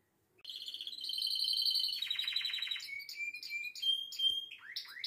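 A canary sings fast, high rolling trills, then a buzzy roll, then clear whistled notes and quick falling slurs, with no other sounds.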